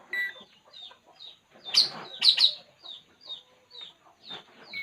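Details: Puling bird at rest, giving short high descending chirps about twice a second, with a few louder, harsher notes in the middle.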